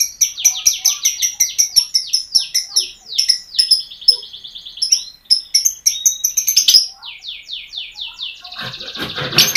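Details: Lovebird song used as a lure to make a lazy lovebird start singing and to provoke other lovebirds: rapid, dense run of high, sharp chirps and buzzy trills, repeated nonstop, ending in a harsher, noisier burst.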